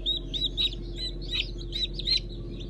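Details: Just-hatched Brahma, Fizan and Habeş chicks recorded 15 June 2019 give rapid, shrill overlapping peeps without pause, accompanied by a low continuous hum.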